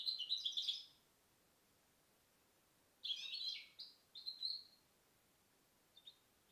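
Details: Goldfinch hybrid (mixto de jilguero), a 2010-bred bird, singing two short bursts of bright, high twittering phrases separated by a quiet gap, with a faint chirp near the end.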